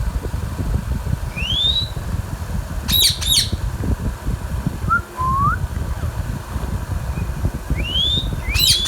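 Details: Young green Indian ringneck parakeet, a pet bird, letting out short harsh squawks near the start and end, between smooth upward-sweeping whistles, over constant low hum.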